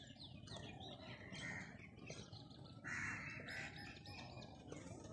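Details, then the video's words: Crows cawing: harsh, broad caws, one early and a longer one just past midway, over steady low background rumble and faint chirps from other birds. "crowe birds voice"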